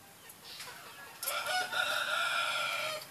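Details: Ayam ketawa crowing at moderate distance: a hoarse, steady crow beginning midway and held to the end, over a soft hiss of background noise.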